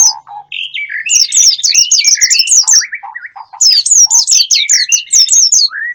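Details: Wild-bird lure sound: continuous loud chattering made of many quick, high, downward-swept squeaky notes mixed with lower whistled slurs. There is a brief lull midway, then the fast chirping runs on.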